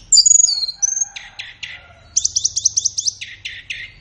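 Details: Flowerpecker singing a training song meant for morning or afternoon use with caged birds: sharp high whistled notes, then a quick burst of about nine bright, evenly spaced chips followed by lower repeated ticks.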